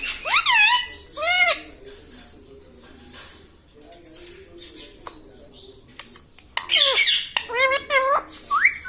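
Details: Pet parrot talking, said to repeat "mitthu mitthu" and "mummy": loud nasal, swooping word-like calls with rich harmonics at the start, a quieter stretch of faint clicks and murmurs, then a rapid burst of bent, rising-falling syllables.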